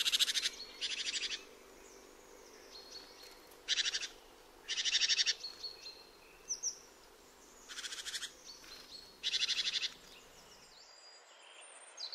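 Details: Nervous great tit giving crackling, machine-gun-like churrs that resemble a magpie, in short bursts, about six over twelve seconds, with a few thin high notes between.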